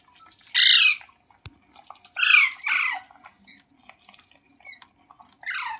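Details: Ringneck parrot squawking: a hoarse screech, then a quick pair of grating downward calls, followed by softer scattered chatter and a final rasping call.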